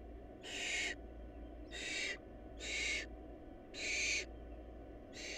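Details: Hoarse, rasping hiss-screeches from barn owl nestlings in a family lacking food, regular bursts of about half a second each, with a dull background drone.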